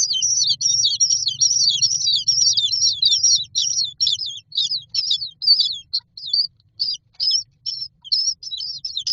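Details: Nestling common mynas lined up in a nest box awaiting food, producing a dense stream of high squeaky chirps that later break into separate short notes, with faint low hum underneath.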